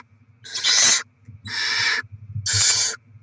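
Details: Barn owls, rodent deliveries and feeding of the young on 07/02/2024: three broad, harsh hissing screeches, each about half a second long, in close succession.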